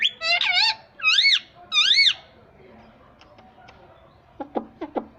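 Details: Pet parrot indoors saying a Hindi word, taken as mummy: three loud arched harmonic syllables in the first two seconds, then quiet room noise and a few sharp clicks near the end.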